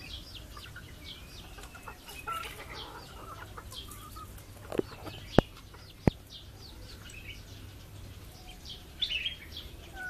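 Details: Backyard chickens, a chick and its mother: scattered thin high peeps run through the recording with soft low clucks, two sharp loud clicks near the middle and a brief burst of chirping at the end.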